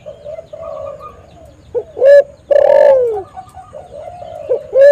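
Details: Spotted dove cooing as a lure to call and trap other spotted doves: a short hoarse note, then a long, loud, drawn-out coo that sags downward at the end. Softer cooing continues in the background.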